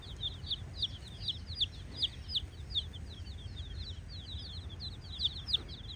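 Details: Colourful baby chicks exploring a hollow, chirping as they play: many shrill, high, short downward peeps tumble over each other in quick succession, some louder bursts standing out, above a faint low background hum.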